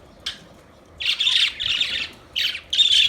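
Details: Budgerigars chirping: scratchy, buzzy warbled bursts, a short one then longer runs of harsh chatter separated by brief pauses.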